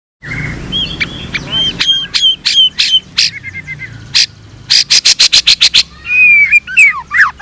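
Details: White-rumped shama of the blorok colour variety (murai blorok), singing while bowing: a thin rising whistle, then sharp chips, rapid bursts of bright repeated notes, and finally looping slurred whistles, loud and close.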